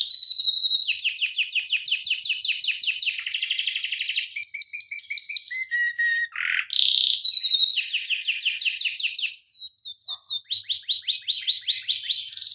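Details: Long-duration gacor canary ngeroll song, a tutor track for other canaries: successive dense high trills, a low swooping note, more rolling tours, a brief lull, then evenly repeated sharp chirps.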